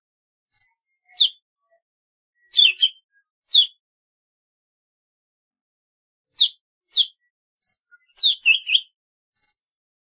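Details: Golden-fronted leafbird song of crisp, high descending chips given singly and in quick pairs, opening and closing with a brief pure whistle, separated by pauses of a few seconds.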